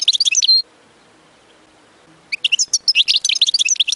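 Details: European goldfinch song, described as from the world's most expensive goldfinch and used for teaching chicks: a rapid twittering burst of high tinkling notes, a pause of near silence, then another fast jumble of chirps and trills.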